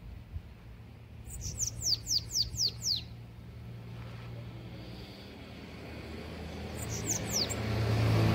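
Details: A captive Bananaquit, a Belgian-type bird, gives a quick burst of about six thin, very high, downslurred notes, then a shorter repeat, over a low background rumble, on a Sunday morning.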